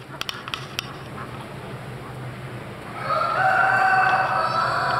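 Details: At a November 2012 poultry exhibition in Boncourt, Switzerland, a Swiss chicken rooster begins a loud sustained crow after a few seconds of sharp clicks and background hall noise.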